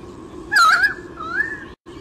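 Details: White-bellied sea eagle chick in its nest at Olympic Park, Sydney, Australia, filmed by a nest camera on 30 July 2016: a loud, harmonic, wavering chirp lasting about half a second, then a softer rising call, over a steady low hum.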